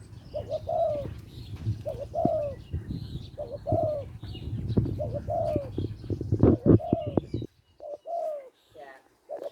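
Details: Spotted dove from Lopburi, Thailand, with a small voice, calling to attract a mate: soft cooing phrases of short notes, each ending in a longer drawn-out coo, repeated about every one to two seconds. Low rumbling noise runs beneath, then quiet near the end.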